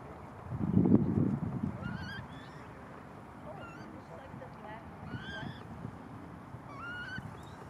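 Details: Young coot chick in Malibu, giving thin, high whistled notes that rise and slur upward, several spaced a second or so apart, over a steady low rumble with a loud low thump near the start.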